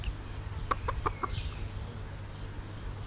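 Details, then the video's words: Bobtail Pekin bantam mother hen with chicks gives three quick clucks in a row, then a thin descending chick peep over low hum. "Zwerg-Cochin: Glucke mit Küken"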